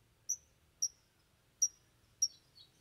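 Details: Long-tailed Shrike (cendet) in song with three imitated fill-ins: four sharp, high, thin tick notes at uneven gaps, followed by a softer, slightly lower note, in a quiet setting.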